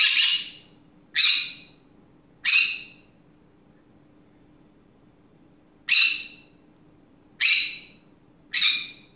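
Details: Green-cheeked conure kept as a pet, chattering in the afternoon: six loud, raspy squawks in two groups of three, separated by a silent pause of about three seconds, over a faint background hum.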